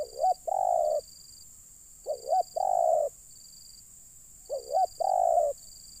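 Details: Three evenly spaced phrases from a spotted dove used to lure wild birds down: each a short warbling lead-in note leading into a sustained, flat, throaty coo about half a second long, over a faint intermittent high whine.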